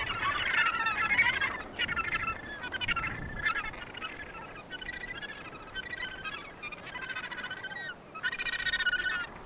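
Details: Chorus of Australasian gannets at a breeding colony near Portland, Victoria, Australia. Grating, honking calls come in rapid bursts from many birds, with brief lulls between the clusters.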